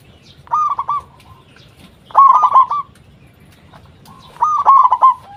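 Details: Lure song of a vigorous local zebra dove meant to make other zebra doves respond: three evenly spaced phrases of quick bubbling coos, about two seconds apart, over a quiet background.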